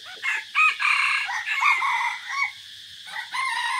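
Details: Decoy red junglefowl on 3 April 2024 while touring forest: a long run of rough, wavering crow syllables with buzzy overtones, a brief lull, then another raspy crow begins.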